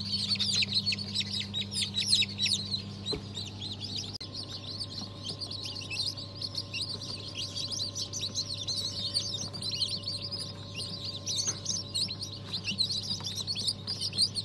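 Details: Dozens of newly hatched chicks of several breeds, including Habeş, Osmanlı Sultan and İspenç, hatched December 2022, give dense, overlapping high thin peeps without pause, over a steady low electrical hum.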